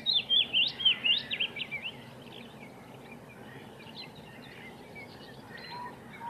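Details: Wood warbler song: a fast, loud series of high, sharp chipping notes for about two seconds, fading and dropping in pitch at the end. Faint distant bird notes and steady hiss follow.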